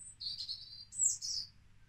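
European robin song: high, sweet, thin warbled phrases with brief pauses between them, clean and unaccompanied.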